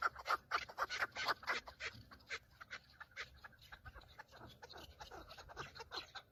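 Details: Male Chukar partridges on Mount Bamo in Kurdistan, calling while fighting and displaying for females during the breeding season; a burst of loud clucking chatter that thins into quieter, irregular repeated notes.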